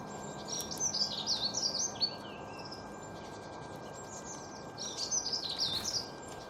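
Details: Bright, high chirping song from small birds comes in two clusters of fast twittered notes, separated by a quieter gap, with a faint steady hum underneath.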